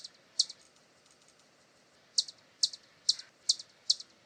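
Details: A hummingbird in Brazil utters a single high, clipped chip, falls silent for nearly two seconds, then resumes with a run of six evenly spaced sharp chips.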